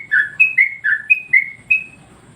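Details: Trucuk (sooty-headed bulbul) song used as a master recording to train and provoke other birds: seven bright, liquid whistled notes alternating slightly higher and lower, each gliding down, evenly spaced over two seconds with a faint low background hum.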